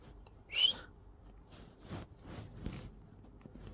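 A cockatiel gives one bright, rising whistled note, followed by soft scratchy sounds indoors.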